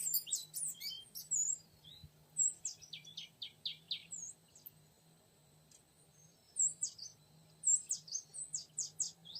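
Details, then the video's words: Oriental magpie-robin sound used to lure a young wild male: high, thin whistled notes and quick slurred phrases in irregular clusters, with a steady low hum underneath. "Memikat burung kacer muda hutan jantan"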